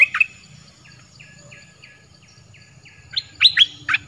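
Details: Training song of a southern dok taeng bird for young birds to copy: a loud chirp opens, then a soft series of evenly spaced, short falling whistles, ending in several loud sharp chirps.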